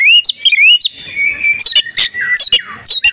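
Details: Breeding-condition female oriental magpie-robin, calling to draw males into song. The clip opens with bright rising whistles, then a longer level tone, with scattered sharp clicks and chirps after it.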